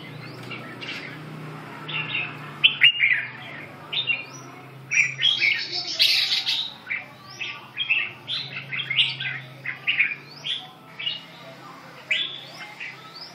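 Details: Red-whiskered bulbul giving a string of short, cheerful warbled phrases, bright chirps bunched in quick runs over a faint low hum.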